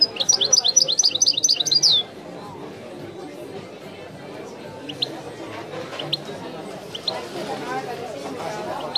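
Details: European goldfinch singing in the authentic Widani style: a rapid run of high, sharp repeated notes for two seconds, then only faint scattered chips over a steady low murmur of background noise.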